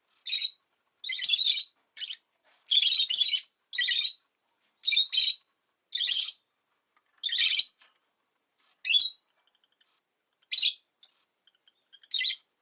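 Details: Rosy-faced lovebird kept as a pet, chirping in a steady run of shrill, scratchy bursts, roughly one per second, some paired, with brief quiet gaps and nothing else audible.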